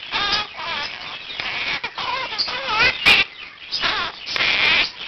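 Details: At 7 am a year-old pet Quaker parakeet practises the words and phrases he has learned as a wake-up call, room birds joining; dense chattering of bent, harmonic notes and scratchy squawks with short pauses.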